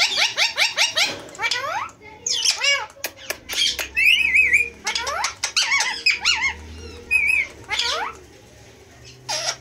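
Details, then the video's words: Pair of male Indian green ringneck parakeets kept as pets, talking and dancing, producing harsh squawks, warbling wavering whistles and rapid scratchy notes indoors. "Two male ringneck talking very well"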